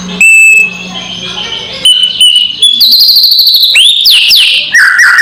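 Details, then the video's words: Loud kretekan lure call of a white-rumped shama, used to rile rival birds: clear steady whistles, some stepping upward, then a rapid trill and slurred notes falling to a lower whistle. "SUARA PANCINGAN KRETEKAN MURAI BATU KERAS BIKIN EMOSI SEHARIAN"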